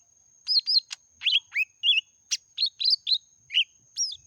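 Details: Lesser green leafbird singing meratoh: a steady stream of distinct notes, some whistled and down-slurred, some buzzy, spaced roughly every third of a second, over a constant thin high-pitched tone.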